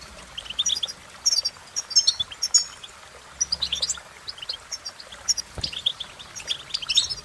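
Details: European goldfinch twittering in scattered high, tinkling phrases separated by brief gaps, with a light hiss underneath.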